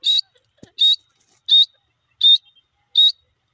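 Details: Grey francolin giving five loud, short, sharp notes, each strongly stressed and centred high, repeated evenly about every three-quarters of a second with silent gaps between, and a faint low thump near the start.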